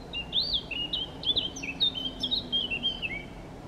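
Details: Eurasian blackcap, Chełm, Poland, 17 May 2022, singing during breaks in feeding: a continuous loud, flute-like warble of clear sliding whistles, bright and varied, running through the whole clip.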